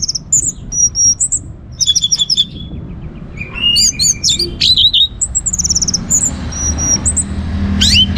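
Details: Orange-headed thrush song used to draw other birds into singing: varied high whistles, rapid chattering note series and fluty slurs, alternating with short pauses.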